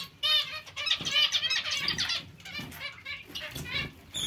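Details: Chorus of zebra finches in a colony with Bengalese finches: dense, nasal, harmonic toots repeated rapidly, with fluttering wings and a steady low background rumble.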